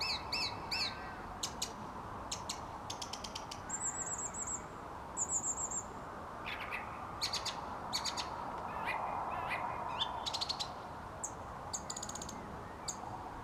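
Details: Song thrush singing outside a studio at dusk, delivering dense bursts of sharp high notes and a thin trilled phrase repeated twice, the song continuing in varied clipped phrases over a low background hum.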